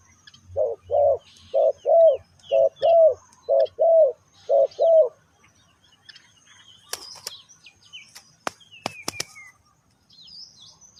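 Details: Spotted dove lure call used for trapping and training decoy birds: eight low, mellow coos in paired groups over five seconds, then quiet with high chirps and sharp clicks from other small birds.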